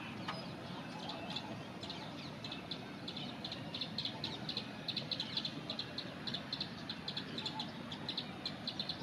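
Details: A Plain Prinia perched on a tree branch in an Indian forest repeats quick, high, clipped notes in a steady, rapid series over a low background rumble.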